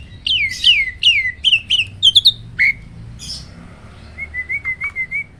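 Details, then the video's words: Loud, clear roll tembak vocal from a caged hybrid of Asian pied and black-winged starlings: a series of sharp downslurred whistles, rising in pitch toward a stuttered climax, then a soft run of rolling whistled notes. "BURUNG JALAK HYBIRD || GURU VOKAL SUARA ROLL TEMBAK."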